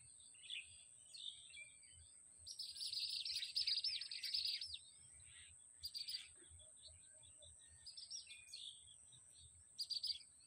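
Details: Baya weavers at the top of a palm tree give buzzy, rapid chattering bursts, the longest lasting about two seconds, among scattered short chirps, over a steady thin high whine and faint low rumble.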